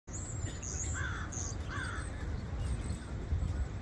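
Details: Starling calling: a few thin, very high whistles and two wavering, slurred mid-pitched notes in the first two seconds, over steady low rumbling background noise.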